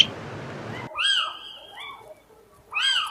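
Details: Little owl in Spain giving mewing, arched calls that rise and fall, a pair close together then another a second later, after a brief burst of broad noise at the start.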